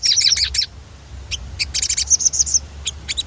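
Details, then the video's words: Stimulus song of a sogon in rolling style: fast, stacked high chirps in quick succession, a pause, then clusters of bright repeated notes and short whistles. "Suara ransangan bunyi sogon gacor ngerol"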